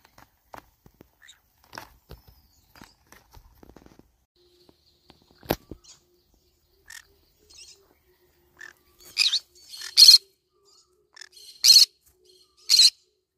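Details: A green-cheeked conure trying to eat banana leaves makes soft clicks and small rustling sounds, then gives four harsh, raspy screeches in the last few seconds.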